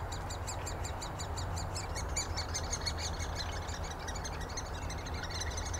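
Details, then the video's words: Great spotted woodpecker (Dendrocopos major) nestlings being fed, begging with a steady, fast, high chatter of short buzzy notes over a low rumble; Úvaly, Škvorecká obora, Czech Republic, 26 May 2023. "Strakapoud velký (Dendrocopos major), krmení mladých"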